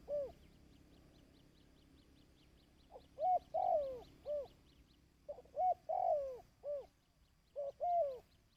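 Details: Repeated dove cooing for training decoy birds. After a faint opening note and a quiet gap come three phrases, each a short clipped note and a rolling, throaty, falling coo with a softer trailing note. Faint high ticking sounds in the background.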